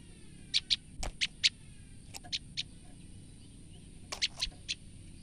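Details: Female olive-backed tailorbird calling in fear: short, sharp, high notes in irregular bursts, about one per second on average, some paired, over faint background noise.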